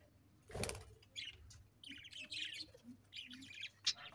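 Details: Soft budgerigar twittering, with warbled, buzzy chirps in quick clusters, follows a sharp knock near the start. The background is quiet, with a faint low hum.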